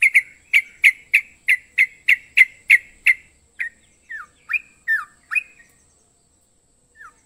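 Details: A trucukan (yellow-vented bulbul) opens with a fast, even run of sharp chips, about three per second, then shifts to a few softer rising and falling slurred notes before falling quiet.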